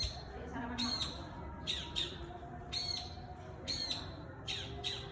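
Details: Long-tailed shrike recorded on an iPhone, singing actively and answering wild birds: harsh, squawking notes sweeping down from high pitch in bursts about every second, over a low background rumble.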